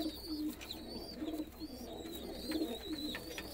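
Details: Domestic roller pigeons give short, throaty coos in brief bursts, while high, wavy chirping from other small birds runs steadily over the top.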